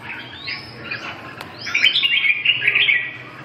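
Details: Red-whiskered bulbul song: a burst of bright, warbled whistled notes with quick up-and-down slurs, fuller in the second half, over a low steady hum.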